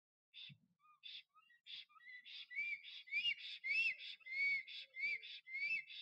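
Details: In Notecka Forest on 12 April 2023, a male black stork sings and dances at his nest to win a female: soft scattered notes build into loud, repeated rising whistles with a wheezy, buzzy texture.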